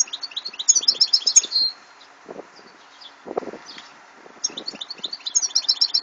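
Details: A European goldfinch sings in 2014: quick runs of sharp high twittering notes ending in a buzzy drawn note, a pause with soft low rustling, then another fast twittering phrase.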